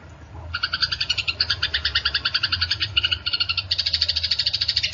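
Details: Eurasian tree sparrow fighting call: after half a second of quiet, an insistent run of sharp chirps begins and repeats rapidly, about three per second, to the end.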